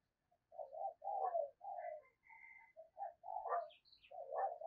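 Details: A lure spotted dove cooing to attract wild doves in the 'thúc gù' manner: a run of low, hoarse coo notes, overlapped by faint higher chirps from other birds.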